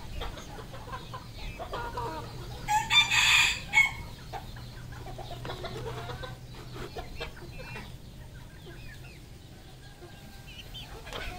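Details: Red junglefowl on a farm in Cambodia: one loud, harsh, rasping call of about a second near the middle, set among many faint chirps and clucks from other birds and low steady background hum.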